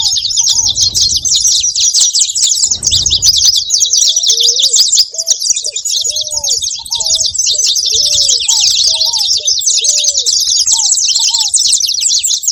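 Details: Saffron finches calling: rapid, high, scratchy chirps pour out nonstop for over twelve seconds, overlaid by a series of short, lower, arched whistles and a couple of soft thuds early on.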